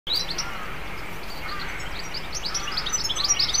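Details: Wild European goldfinch in Cornwall, UK, exploring, flying and feeding on dandelions. A bright, tinkling twitter of quick high notes runs almost continuously and grows slightly louder toward the end.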